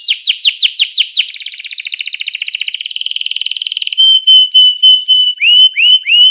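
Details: Canary singing to provoke rival canaries into song: a run of rising sweeps, then a long fast rattling trill, followed by clear steady whistled notes and a few upward slurs.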